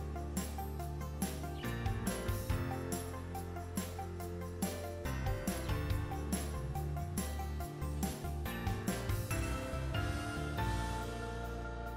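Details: Only music plays: a steady, bass-heavy backing track with regular percussive beats, and no animal voices.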